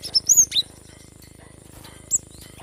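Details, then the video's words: Cinereous tit, gelatik batu, in a recording meant to get lazy birds singing: a short burst of high, thin whistled chirps, some slurred upward, then a pause and one more sharp high note over a faint steady hum. "Gelatik batu gacor ‼️mengatasi burung malas bunyi"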